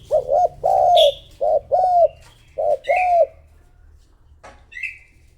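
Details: Spotted dove used as a decoy to call wild rivals, giving a quick run of low, mellow two-part coos, about five phrases in three seconds, followed by thin, high, short chirps from another bird.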